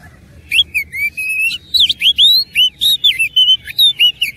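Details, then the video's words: An oriental magpie-robin sings hard while fighting, with a rich fill-in of copied notes: after a brief quiet start, rapid loud whistled slurs and twisting chirps follow one another almost without a break. "KUMPULAN KACER ISIAN MEWAH NGOTOT GACOR TARUNG"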